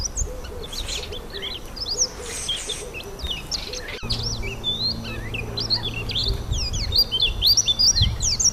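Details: Active, noisy Yellow white-eyes calling continually to keep in touch with one another while feeding on an apple; a busy stream of short, high, rising and falling chirps overlapping from several birds, with a low steady hum beneath.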